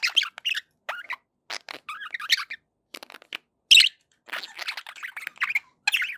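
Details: Happy pet budgies give scattered quick squeaks, clicks and short warbled phrases, including one sharp loud note near the middle.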